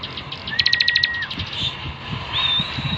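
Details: Bar-winged prinia singing vigorously, used as a master recording for training birds: a fast burst of about eight sharp, high ticking notes, then a thin steady whistle and a later rising high whistle, over low background thumps.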